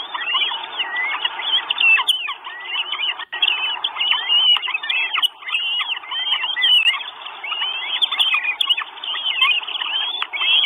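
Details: Four Northern goshawk chicks begging for food at a nest in Estonia, 1 June 2022, recorded by a live nest camera; dense overlapping high squealing whistles, many sliding and arched, sounding almost continuously with brief pauses.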